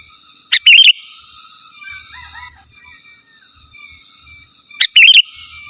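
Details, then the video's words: Calling a rival, a sooty-headed bulbul gives a short, bright warbled whistle phrase introduced by a sharp note, then repeats the same phrase about four seconds later over quiet, faint background hum. "Suara Burung KUTILANG GACOR Asli Tanpa ISIAN Ampun Untuk Suara Panggilan dan Masteran"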